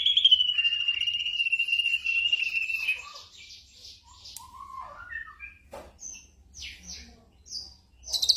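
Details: Night-time tutoring song of a black drongo for caged birds: a long slightly falling whistled trill of about three seconds, followed by scattered short rising whistles, a sharp click and brief buzzy notes.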